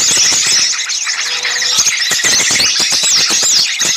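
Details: Lure recording for catching small birds, described as noisy: dense, overlapping high chirps, squeals and sharp clicks from many small birds, with a thin whistled note running through and no pauses.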